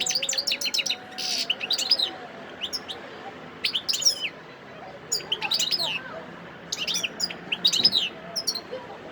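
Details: European goldfinch in the wild at Sidi Bel Abbes, Algeria, December 2021, delivering quick bright twittering bursts with buzzy elements, several phrases separated by brief gaps, steady low background murmur.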